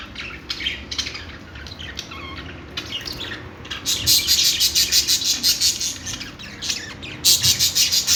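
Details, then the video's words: Budgerigar (parakeet) chirping: soft scattered tweets at first, then loud, buzzy, rapid chatter pulsing about three times per second during the second half. "budgie birds | love birds |parakeet chirping sounds |Australian parrot|bajri totay ki awaz"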